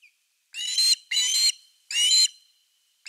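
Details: Osprey at its nest on an August 2021 evening with a fish: three loud, harsh whistled notes, each slightly rising and ringing, spaced about half a second apart.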